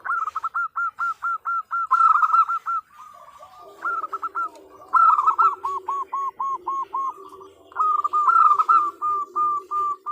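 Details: Female zebra dove calling the male as a lure: bursts of crisp, hooked coo notes repeated about three per second in long even runs, separated by brief softer, lower murmuring passages.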